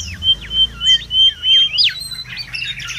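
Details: Mangrove whistler song recorded in the wild for luring and tutoring: steady clear whistles interrupted by sharp falling slurs, then a burst of jumbled warbled notes, over a low hum.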